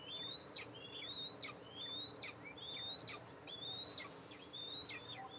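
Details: A nest camera at an Eastern imperial eagle nest on July 14, 2024 catches the mother arriving to feed two eaglets. About six high whistles, each gently rising and then dropping sharply, repeat at an even pace.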